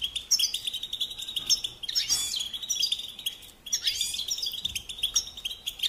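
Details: European goldfinch singing on a training recording for young songbirds: high twittering phrases broken by a short pause near the middle, with a richer burst of liquid, rolling notes around two seconds and again near four seconds.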